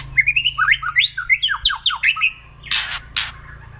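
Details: Kretekan song of a white-rumped shama, meant to provoke rival birds: a quick chain of bright upslurred and downslurred whistled notes, followed by two loud crackling rasps.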